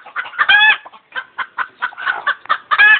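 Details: Clucking and screeching chicken: a loud, harsh squawk opens, followed by quick, evenly spaced clucks and another strained squawk at the close.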